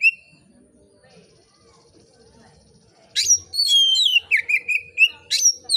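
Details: Relaxed, full-voiced oriental magpie-robin song meant to provoke other magpie-robins to sing. Faint background sounds come first, then a dense run of clear whistles, sharp upward sweeps and twittering notes begins about halfway through.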